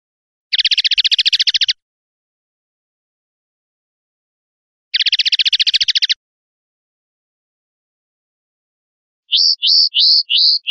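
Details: Song of a common linnet: two separate dense, buzzy rattling trills, each lasting about a second with a long pause between them, then a short run of clipped, hooked chirps near the end. The background is silent.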